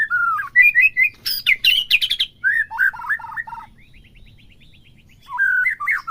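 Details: Captive-bird provocation recording of a white-rumped shama singing: whistled phrases, harsh buzzy bursts, jumping warbled notes, a soft rapid ticking series, then renewed whistles.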